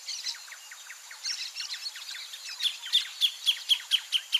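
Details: Greater thornbird singing near its nest: soft jumbled chattering builds into a run of loud sharp repeated notes, about four per second, over a constant high background hiss.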